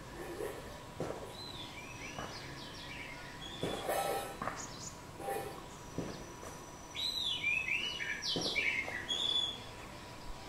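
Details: Oriental magpie-robin (Copsychus saularis) singing on 29 April 2020: varied, sweet whistled phrases with rising and falling notes and scratchy chatter, in bursts every second or two over steady background noise.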